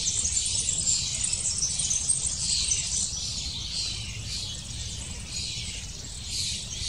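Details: Long-tailed tits, parents busily bringing food to chicks almost ready to leave the nest: a dense, continuous wash of thin, very high chirps and twitters, overlapping without pause, over a low steady background rumble.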